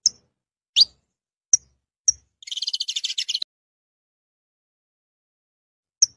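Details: Saffron finch: a few sharp, high single chips about a second apart, then a fast run of rapidly repeated buzzy pulses lasting about a second, and a final lone chip after a long silence.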